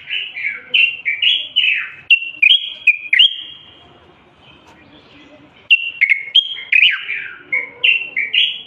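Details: Common bulbul giving continuous song to encourage males to sing: bursts of warbling, fluty slurred whistles, a quiet pause of about two seconds, then another lively run of varied notes.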